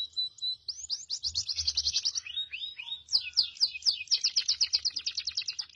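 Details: A male goldfinch × canary mule sings without pause: quick rising twitters, then long runs of rapid, evenly spaced high trilled notes, about two sets of rolling repeats, all bright and sharp over a soft low background hum.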